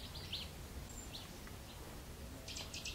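Waxwings give thin, high, slightly buzzy notes, scattered singly and then in a quicker cluster near the end, over steady low background rumble.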